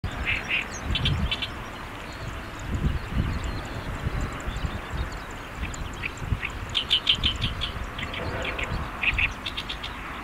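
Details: Great reed warbler (Acrocephalus arundinaceus), song.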